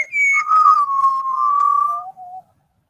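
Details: A quartet of Australian butcherbirds singing: a clear fluting whistle glides down, then holds a long steady tone before dropping to a softer lower note, in a small room.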